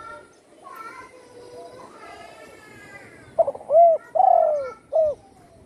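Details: Spotted dove, once shot and wing-broken, now singing often at home; soft chirps and murmuring sounds first, then one loud cooing phrase: stuttered intro, rounded coo, long drawn descending coo and short final coo.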